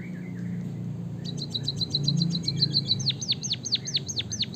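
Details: Javanese white-headed munia singing a canary-style rolling song used to spur other birds to sing. Low background rumble, then a rapid high trill that breaks into a run of steep downsweeping whistles.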